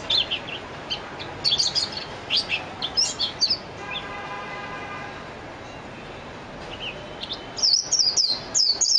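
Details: Japanese white-eye, called mejiro: scattered high chips and short twitters, a quiet stretch with a faint low hum, then a closing burst of rapid, high warbling notes.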